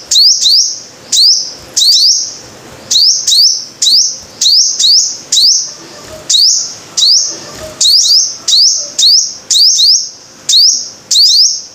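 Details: Five-coloured sunbird sings a steady run of piercing rising whistles, many notes paired or clustered, each ending in a level ringing tone, repeated through about twelve seconds with short gaps. No other sounds are clear.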